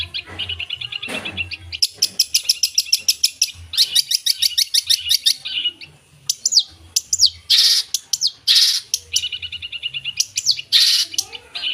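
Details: Long-tailed shrike in full energetic song packed with imitated phrases: fast buzzy trills of evenly repeated high notes, sweeping whistles and harsh rattles tumbling together without pause.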